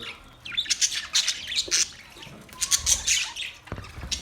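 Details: Colony of budgerigars giving harsh, squawky high chirps and short screechy notes in quick clusters, pausing briefly midway before another burst of excited chatter, over soft low background sound.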